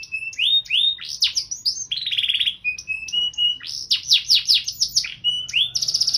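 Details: Canary in full gacor song with 'cengkok mewah' flourishes: short whistled notes, a buzzy trill, level sustained tones, then a burst of rapid downward sweeps and a closing trill, all high and loud against near silence.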